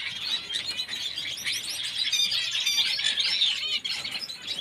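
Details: A pair of pineapple green-cheeked conures: harsh, scratchy squawks and squeals overlap in a steady, busy chatter, with no clear pause throughout.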